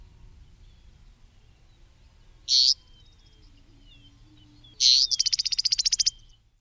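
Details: Eastern meadowlark (Sturnella magna): two sharp, buzzy high notes a few seconds apart, the second running into a quick chatter of about a dozen pulses, over faint slurred whistles and a low rumble.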